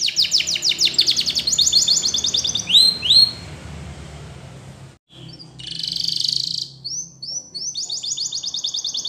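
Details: A canary, Spanish Timbrado song for training, sings rapid high trills and a pair of slurred upward whistles, breaks off briefly, then gives a dense buzzy roll before the trilling resumes.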